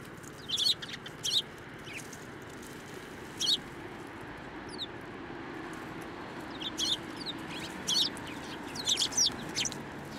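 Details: Tree sparrows at a Tenmangu shrine, 9 December 2023, coming to a hand for food; scattered brief high chirps and twitters, a few at a time with quiet gaps, over steady low hiss.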